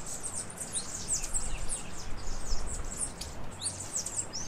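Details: Vermilion cardinal (Cardinalis phoeniceus) near Riohacha, La Guajira, northern Colombia, giving thin, very high chips and short downslurred notes, several a second in an uneven stream, over a steady low rumble of wind.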